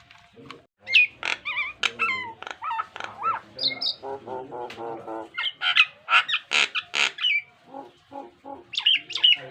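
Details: Male Nias hill myna singing vigorously with a rich varied repertoire, offered as a master song for pet mynas to copy: loud, rapid strings of whistles, rising and falling glides, harsh squawks and clicks, closely packed with brief pauses.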